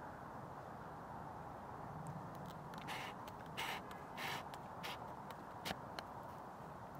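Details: A Hooded Crow in Ljubljana on 26 November 2023 gives a few harsh, rasping caws about a second apart over a steady background rumble of traffic.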